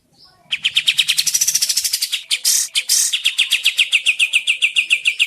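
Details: Sooty-headed bulbul lure recording meant to draw other birds into answering and singing: fast, even run of bright chattering notes with brief harsher bursts midway, steady to the end.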